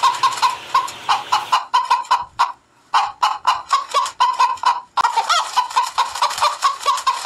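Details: Hen cackling at dawn: a long string of sharp, evenly spaced clucks, broken by a short silence around the middle, then resuming in a dense rapid burst.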